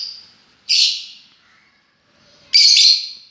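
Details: Two separate loud, raspy, high-pitched screeches from lovebirds, each trailing off into a thinner whistled tail, with quiet between them.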